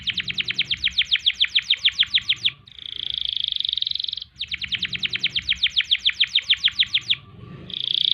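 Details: Canary in energetic song, repeating a pattern twice: a long series of rapid downslurred notes, about eight a second, followed by a short steady buzzy roll.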